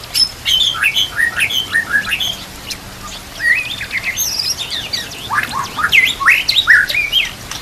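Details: White-rumped shama singing, used to train other shamas. Choppy bursts of whistled and squeaky notes sweep up and down in clusters, separated by short pauses, with a constant faint hiss behind.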